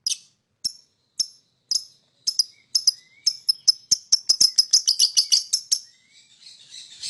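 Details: Lovebird chirping to lure other birds: isolated sharp chirps at first, speeding up into a quick, excited run of bright notes before fading into softer chatter.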